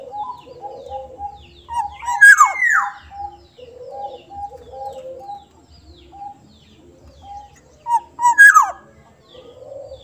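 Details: Soft-voiced Sumbawa black-naped oriole repeats its phrase twice, about six seconds apart. Each phrase has two brief mellow notes and a falling slurred whistle. A smooth arched whistle and quiet background chatter are also heard.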